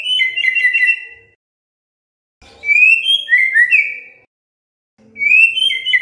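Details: Three short bursts of clear, warbled whistles from an oriental magpie-robin, separated by silent gaps of over a second. The song is used to coax other magpie-robins into song.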